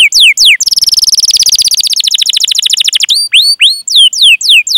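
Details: A canary sings a long rolling, chirping song meant to coax other canaries into song. A few falling whistles lead into a fast, evenly pulsed roll lasting over two seconds, followed by sharp upswept chirps.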